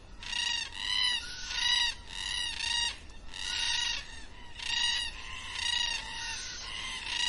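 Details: Black cockatoos at dusk give drawn-out, wailing, rasping calls, about one every second, sometimes overlapping as several birds call in turn over a faint background hiss.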